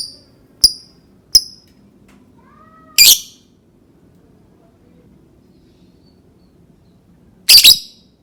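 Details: Lovebird voice for prompting other lovebirds to sing: two short, clear chirps, then two loud, rasping, high shrieks several seconds apart, with silence around them.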